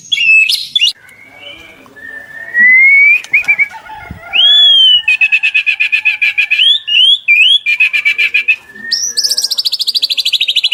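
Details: White-rumped shama from a 2024 tutoring recording for captive birds: pure, drawn-out whistles rising in pitch, alternating with rapid rattling bursts and a fast high trill at the end.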